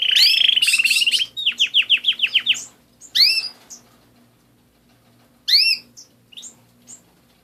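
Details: Caged canary song opening with a fast bright trill, then a series of about eight falling whistled notes, followed by sparse sharp chirps and pauses; a low electrical hum runs underneath.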